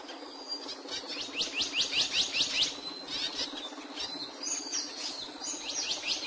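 A capuchino seedeater sings a quick run of high, sweet, down-slurred notes, about two or three per second, then a shorter burst later, over a soft hiss.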